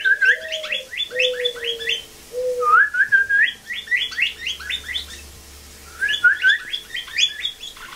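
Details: Blue jay under rehabilitation mimicking cardinal song, with rapid downslurred note series and rising whistles repeated, while low steady whistles sound beneath in the first few seconds.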